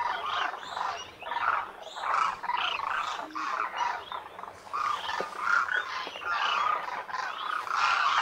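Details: Large flock of migrant Demoiselle cranes, known locally as Koonj, at the lake by Khichan village in the Thar Desert of Rajasthan, India, in winter; dense chorus of hoarse, trumpeting croaks rising and falling continuously.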